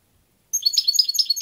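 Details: European goldfinch delivering a quick, dense twitter of high, bright, jangling notes that starts abruptly after a short silence and runs without a break to the end.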